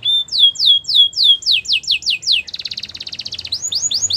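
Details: Canary singing to stimulate a silent canary: a clear whistle then a series of falling slurred notes, quickening sweeps, a fast rattling tour and repeated upward whistles, about four per second.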